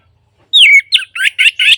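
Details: Orange-headed thrush, used as playback to get silent birds singing: one long descending whistle followed by four short, harsh, buzzy notes in quick succession.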